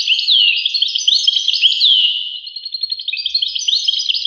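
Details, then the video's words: Bright, bubbling European goldfinch song, quick high twitters mixed with several clear downslurred whistles, the rhythm loosening into stuttered chirps toward the end. "voice carduelis- Tweets the birds. Tones a bird Goldfinch. voice goldfinch-"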